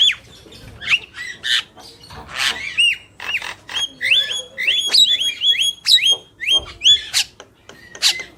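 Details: Male and female black-winged mynas singing together: harsh squawks and buzzy bursts mixed with rising, hooked whistles, delivered in a busy, irregular stream.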